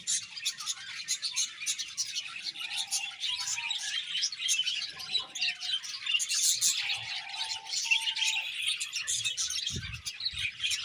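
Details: Steady, high, scratchy twittering from many budgerigars. Brief low, even tones sound underneath several times, and there is a single low knock near the end.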